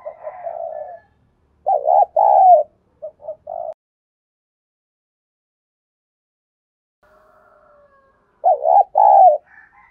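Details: Decoy spotted dove used to provoke and train wild doves, giving low mellow cooing phrases: a soft opening coo, then two groups of hollow, wavering coos separated by a long silence.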